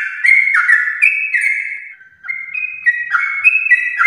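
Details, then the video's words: Yellow-vented bulbul from champion stock, singing a chatty song used to prompt pet bulbuls. Bright stepped whistles fade briefly in the middle, then resume in quick alternating notes. "Trucukan gacor ropel panjang TRAH JUARA untuk pancingan trucuk rumahan"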